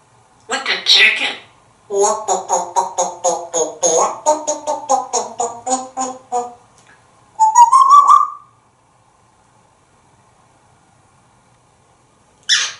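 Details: Talkative pet African grey parrot in a Texas home, chattering from the counter: a run of rapid clucking, chicken-like syllables, then a rising whistled note, and a brief final burst of speech.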